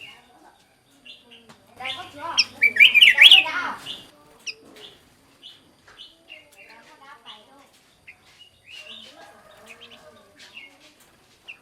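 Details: Black-crested bulbul song used as a bird-luring sound: a burst of loud, jumbled warbling notes in the early part, followed by a long stretch of sparse, quiet chirps.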